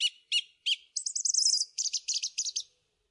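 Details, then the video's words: A song thrush sings a bright note three times over, then a fast high trill and a run of repeated chirpy notes, clear against a quiet background. "Thrush bird song"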